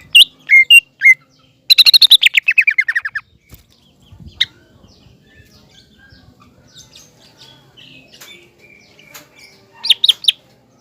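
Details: Green leafbird bursts used to provoke a spotted juvenile leafbird: a few loud whistles and a quick descending trill at the start, then long near-quiet with faint distant chirps, and a short loud flourish near the end.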